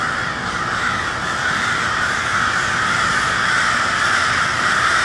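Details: At cold twilight in Westport, Kansas City, a crowd of noisy crows keeps up a thick, ceaseless din of overlapping hoarse caws, growing slightly louder toward the end.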